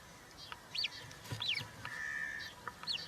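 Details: European roller nest with three chicks on 20 June 2023, live nest camera, a chick fed a giant grasshopper: sharp arched squeaks and one long flat whistled note, a few calls spaced across three seconds.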